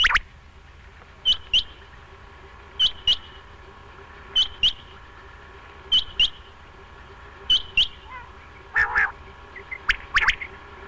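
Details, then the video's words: Quail calling: sharp, high, clipped notes given in quick pairs, the pairs repeating about every one and a half seconds, with a few rougher, lower notes near the end over a steady low background hiss. "Batair ki awaz batair awaz Quail sound"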